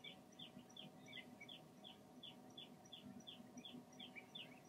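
Long-toed stints give short, high, slurred chirps, about three a second and partly overlapping like several birds calling. A low rumbling hum runs underneath.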